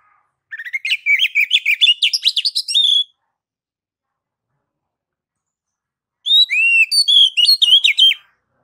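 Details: Kacer, or oriental magpie-robin, singing ngeplong-style master song: a rapid two-and-a-half-second run of buzzy, stuttered notes climbing in pitch, silence, then a second phrase of sweet, looping whistles.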